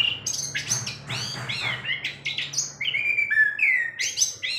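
A long-tailed shrike sings a rapid, varied run of scratchy chatter and clear high whistles, some rising and some falling, over a faint low hum.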